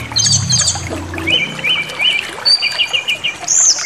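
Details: White-rumped shama song used to stir up rivals: high twittering opens over a low hum, then a series of repeated warbled whistles and a thin high upslur at the close.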